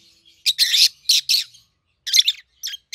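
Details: Peach-faced lovebird pair, a red-headed green opaline and a red-faced dark green raised together in captivity, seven to eight months old; rasping high squeaky chirps in quick bursts, a longer run early then shorter notes.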